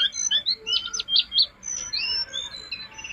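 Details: Jongkangan singing as master material for tutoring caged birds, a short run of thin high whistles and quick warbled notes, some rising and some falling, over faint background hiss.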